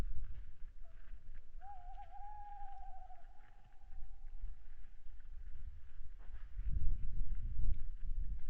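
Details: On Saaremaa, Estonia, a deer webcam captures owls calling at 22:15 on 26 February 2017: a short note, then a long wavering hoot trailing off over about three seconds, amid heavy low-frequency rumble and thuds.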